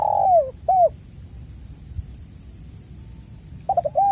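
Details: Spotted dove lure recording for caged birds that have gone quiet: the tail of a long falling coo and a short coo, a pause, then the stuttering opening notes of the next phrase. A thin constant high tone is present.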